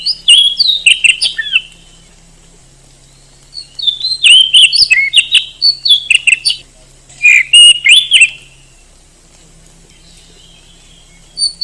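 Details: Bursts of rich whistled song from an oriental magpie-robin, an Indonesian contest bird, with sliding notes and sharp chips in several phrases separated by quiet pauses, and a steady faint hum underneath.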